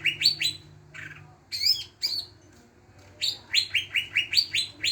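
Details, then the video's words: Greater green leafbird singing, played as a lure to set other birds singing: clipped bright chirps and short phrases, ending in a rapid string of rising notes, with a low background hum. "pancingan cucak ijo bahan, pasti bunyi"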